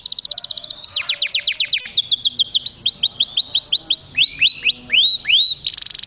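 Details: Caged male canary in an excited mating song: a fast, buzzy trill opens, followed by a chain of rolling, rising-and-falling whistles that change phrase every second or so, ending in a high rattling trill.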